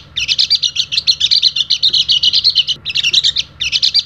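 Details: A Balinese "dakun" Oriental white-eye gives a fast, high, scratchy chatter of chirps, about eight a second, in long bursts with brief pauses, used as a lure to get other white-eyes singing; a faint low hum runs beneath.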